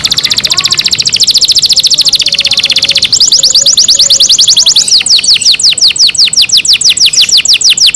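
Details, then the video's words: Caged pet canary pouring out a very fast rattling trill that shifts into quick sweeping slurred notes repeated several times a second. "canary Nice sound"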